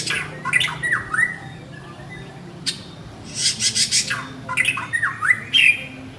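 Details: White-rumped shama male calls his mate with harsh rasping bursts mixed with downslurred whistled notes, several chattering squawks in quick succession, and a low steady background hum.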